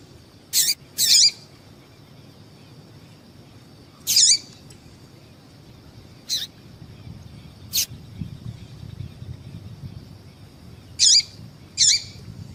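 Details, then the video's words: Calls of a female yellow-bellied seedeater used to rouse males: high, abrupt chips mostly in pairs, spaced several seconds apart, mixed with a few thin clicks over soft background noise. "Piado de Fêmea de Papa capim Para Esquentar papa capim"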